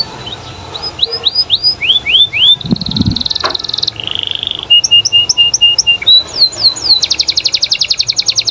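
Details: Canary in loud, varied song: runs of rising whistled sweeps, a buzzy trill, steady flat notes repeated in series, then a rapid rattling trill; a brief low thump midway.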